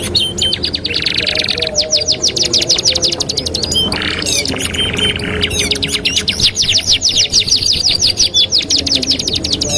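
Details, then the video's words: Canary master song for training: long fast rolls of repeated clicking notes broken by buzzy, hissing bursts, steady and loud for the whole stretch, with a faint low hum beneath. "TERAPI MASTERAN KENARI 2 IN 1 | CANARY SINGING"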